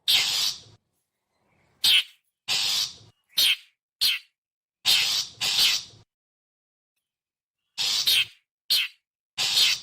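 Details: Rasping calls of a long-tailed shrike, used as a lure for wild birds: scratchy, broadband notes delivered irregularly, brief chips alternating with longer harsh squawks, then a pause before a final burst.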